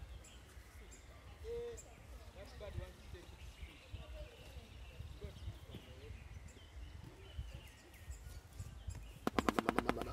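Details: A captive male Shoebill at a zoo in Entebbe, Uganda, hungry and restless at the sight of his keeper, gives a brief machine-gun bill clatter of about a dozen sharp knocks to attract attention, after soft voices; finding: Shoebill.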